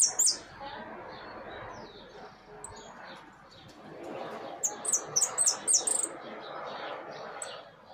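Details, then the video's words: Caged hooded siskin singing against a steady broadband background hiss; after a brief opening chirp, a burst of sharp high notes comes in quick succession midway, then fades out. "Jilguero amarillo priando en jaulon"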